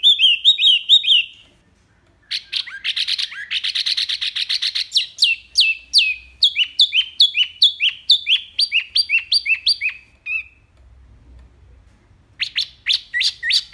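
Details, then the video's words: A small wambi sings loud, clear, high whistled phrases of quick downslurred notes and trills in rapid runs with brief pauses, no other sounds. "BURUNG WAMBI MINI GACOR SUARA BANYAK LANTANG JERNIH"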